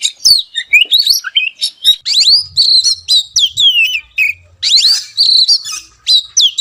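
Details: Kacer, or Oriental magpie-robin, singing a rich masteran sequence with isian fill-ins and tembakan: sharp high whistled slurs, rising and falling notes and chattering clusters, delivered fast with brief pauses between phrases and a faint low hum beneath.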